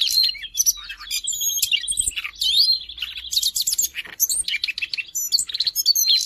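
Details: A Siberian rubythroat recorded in Jakarta on 5 March 2025, used as a tutor song for other songbirds. It sings a long, varied warble of high chirps, scratchy notes and a few clear whistled trills, almost without pause.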